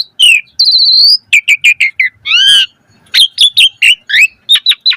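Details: Varied Asian pied starling song for training caged birds: a whistled note, steady harmonic tone, a run of short sharp chips, a wavering buzzy phrase and a rapid chattering series.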